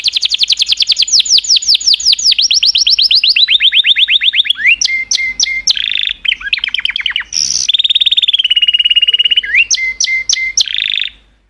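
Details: Songful canary delivering long series of rapid falling whistles that step lower in pitch, then buzzy rolls, chipped upward notes and a steady trill, continuous and loud.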